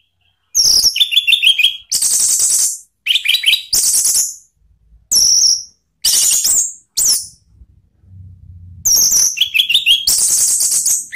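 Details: An orange-headed thrush sings loud, rich phrases of whistles, trills and high notes in bursts about a second long, with short pauses between; a faint low hum shows in one gap. The song serves as a lure to prompt other birds to answer.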